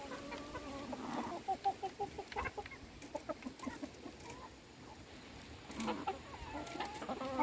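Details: Domestic chickens being fed by their keeper, giving scattered short clucks and a few drawn-out, wavering calls, with clicks and rustling around them.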